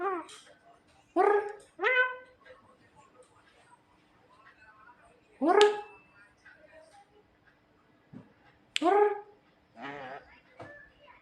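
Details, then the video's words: Javan myna, a clever, funny bird, uttering loud rasping squawks at irregular intervals of a few seconds, with softer chattering notes between them and music in the background. "burung jalak kebo pintar yang lucu"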